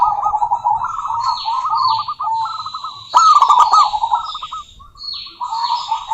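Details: Female local zebra dove calling a rival, with a continuous rolling, stuttering coo trill and one sharp burst of clipped notes; other birds give high descending whistles in the background.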